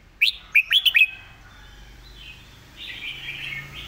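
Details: Red-whiskered bulbul in quick, repeated master-song style: an opening burst of five loud, clear whistled notes in under a second, then quieter, drawn-out warbles.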